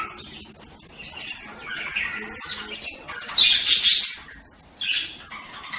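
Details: Quiet budgerigar murmuring chirps give way to a loud harsh squawk in the middle, then another scratchy burst near the end.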